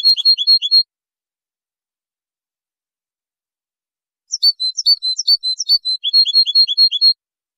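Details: European goldfinch training song recorded in high quality in 2023: two bursts of bright, high twittering notes, a short opening phrase and then a longer run of rapid chirps and trills after a pause.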